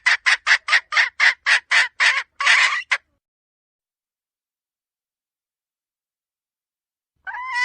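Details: Red junglefowl hen giving a decoy call: ten rapid rasping notes followed by a slightly longer one, then silence until another call begins at the very end.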